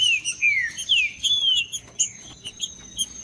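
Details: Green-winged saltator (trinca-ferro) singing in the macheando style, used to warm up other trinca-ferros and spur them to sing: loud, clear, downslurred whistled phrases in quick succession, then sparse high chirps, over a steady thin high whine.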